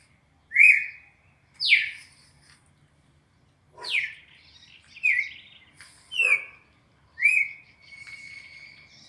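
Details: Brazilian red-crested cardinal singing its classic four-note sequence, a recording used to train captive birds: six separate loud whistles, rising and falling slides spaced about a second apart, over a quiet background.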